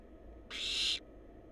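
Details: A single strong hissing snore, about half a second, comes from a wild barn owl chick inside a monitored nest box; only a soft steady hum surrounds it.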